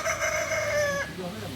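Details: Kukuak Balenggek chicken, a singing chicken breed native to Solok, crowing: one steady, drawn-out, nasal tone held level for about a second with bright overtones, then breaking off into softer, lower murmurs.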